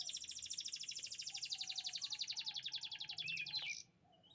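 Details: Canary song of beautiful chirping: a long fast buzzy trill of rapid high pulses lasting over three seconds, ending in a brief falling note, then quiet.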